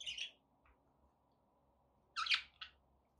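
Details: Pet budgerigar chirping: a short buzzy chatter, a pause, then a louder scratchy warble and one brief chirp.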